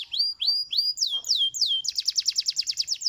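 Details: Canary song meant to prompt other canaries to answer: a few rising-then-falling whistled slurs, then a fast, regular trill of sharp repeated notes at about three per second, clear and without background sounds.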